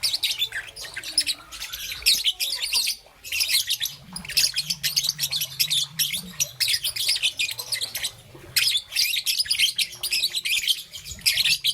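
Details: Green and yellow young peach-faced lovebird in morning chatter: dense, continuous high-pitched chirping and squeaks with few gaps, a faint low hum audible in the middle.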